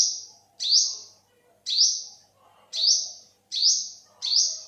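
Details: Olive-backed sunbird (yellow-bellied sunbird), 2021: five high, bright notes that rise sharply and level off, given at uneven gaps of about a second.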